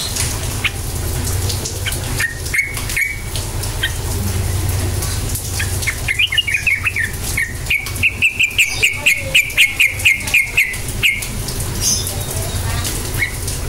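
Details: Sooty-headed bulbul 'cukcuk nguplik' song, used as a lure so silent bulbuls start singing; after scattered chirps, a sustained, rapidly repeated series of bright warbled notes runs about four seconds, with clicking sounds and low rumble.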